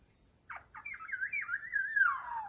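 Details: Maroon Oriole (ardens) around a chick being fed, giving two brief dropping notes followed by a drawn-out warbling slur that wobbles and descends toward the end, clear against a still background.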